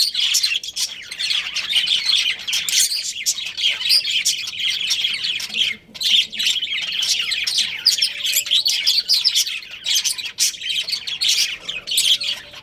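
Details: Pet budgerigars, a breeding pair, keep up long, busy chatter of scratchy warbles, squeaks and chirps with only brief gaps over many seconds.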